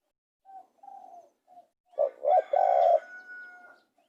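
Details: Spotted dove cooing: a few soft quiet notes lead into a loud rising pair and a long coo, followed by a fainter drawn-out tail.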